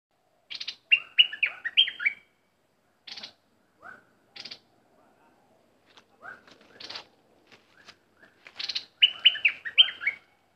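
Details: Caged bulbul used as a decoy to lure wild birds, singing short warbled phrases of bright chirps, with scattered sharp clicks and lower rising notes between bursts in a quiet setting.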